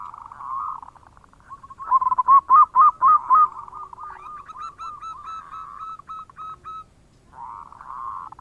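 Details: Local Indonesian zebra dove singing actively, its cooing song played to lure other birds: a rapid run of short hooked coos near one pitch, about four per second, louder in the middle, with softer overlapping cooing at start and end.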